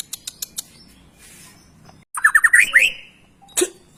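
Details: White-rumped shama tutoring song meant to make young or lazy birds sing: sharp clicks, a pause, then a fast series of rising whistled notes ending in a climbing trill and a harsh note.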